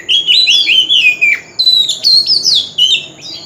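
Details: Wild-voiced Oriental magpie-robin song used to lure birds into singing contests. Loud, fluty phrases of rolling, slurred whistles, first descending in steps, then higher swooping notes, with brief pauses between bursts.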